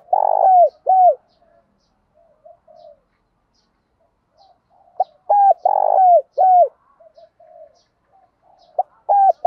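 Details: Decoy spotted dove cooing in the morning to call wild doves: loud, low hollow coos in short phrases, a long throaty note followed by two or three clipped falling coos, repeated after pauses, with soft murmurs between.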